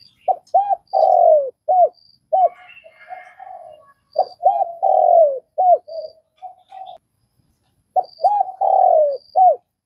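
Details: Vietnamese spotted dove giving repeated cooing phrases: quick arched hoots leading into a long, falling, hoarse coo, repeated about every four seconds, with soft high chirps from other birds behind.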